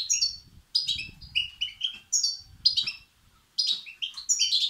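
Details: Young European goldfinches calling to be fed, a sound meant to stimulate male birds. Rapid strings of high, squeaky notes form dense bursts, with one longer gap near the end and a soft low hum.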